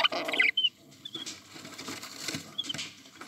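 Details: Budgerigar chicks being tamed to the hand give a few thin, high squeaky chirps, bunched at the start and then scattered, over soft rustling and scratching.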